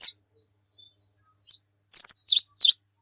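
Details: Oriental white-eye, used as a tutor for other birds, gives scattered high notes: a short chip, a thin drawn-out rising whistle, then two quick V-shaped chirps, with silence between.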